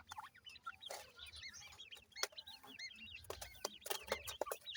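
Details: ['High, thin, rising-falling peeps from a crowd of ring-necked pheasant chicks, repeated fast and overlapping, with bursts of scratchy noise and loud taps.']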